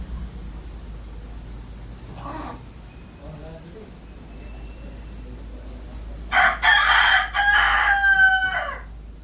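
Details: Morning crow of a desi (local) rooster: after faint, scattered background sounds, a loud, rasping crow of several linked segments lasts over two seconds, the last part a long, steady, sustained note.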